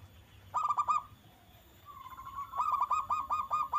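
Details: Zebra dove song meant to draw answers from other doves: a short burst of clipped coos, a pause, then a drawn-out tone breaking into a longer run of rapid bubbling notes.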